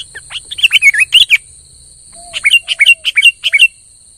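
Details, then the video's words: Sooty-headed bulbul (kutilang) singing gacor to rouse a reluctant bird: a quick cluster of bubbly slurred chirps, a second's silence, then a softer evenly spaced run of short notes, one faint lower whistle between. "suara burung KUTILANG GACOR pancing emosi kutilang pendiam"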